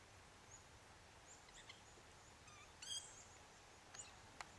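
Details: A Red-browed Finch along the sealed section of the Victoria West Fire Trail, Dharawal State Conservation Area, gives high, thin, squeaky notes in brief scattered bursts over a few seconds against a steady background hiss.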